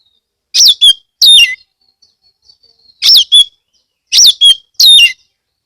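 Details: Oriental magpie-robin (kacer) from Kebumen, Central Java, singing loudly to coax other magpie-robins into song; short bursts of sharp, warbled notes with steep drops, repeated in clusters, with quiet pauses between.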